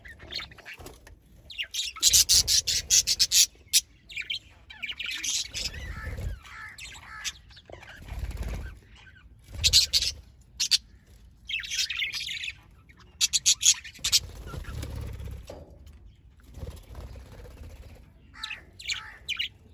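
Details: A budgerigar colony in an aviary at mating time chatters with bursts of harsh, scratchy squawks and quick chirps.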